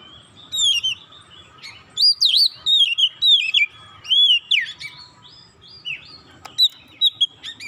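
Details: Oriental magpie-robin in full song, played to provoke rival magpie-robins: a continuous run of varied whistles, rising and falling slurs and scratchy notes in loud bursts, with a faint steady tone underneath.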